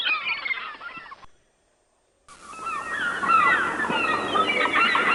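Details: A noisy gathering of wild birds in nature: chirping calls, a second of silence, then louder, overlapping whistled and squeaky notes.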